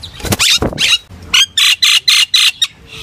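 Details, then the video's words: Common myna flock call: a few rough, descending squawks, then a rhythmic series of loud harsh notes about four per second. "tiếng chim sáo nâu hót gọi bầy"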